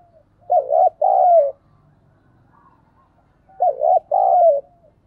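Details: Decoy spotted dove calling: two identical cooing phrases about three seconds apart. Each is a buzzy doubled note and then an extended coo that falls away, in the thúc bổi style, over a faint low hum.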